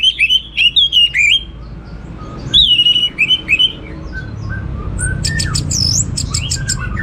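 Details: Orange-headed thrush singing lively, varied phrases: a fast series of whistled down-slurred notes, a pause, more slurred whistles, then softer low notes and high ringing bursts over a faint background hum.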